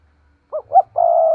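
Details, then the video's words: One lure coo of a spotted dove, used to draw wild doves into cooing back: two quick low notes, then a sustained, steady cooing note cut off at the end. "Cu gáy thúc gù nghe rất hắp dẫn, giọng hay bổi nghe rất tức và gáy theo"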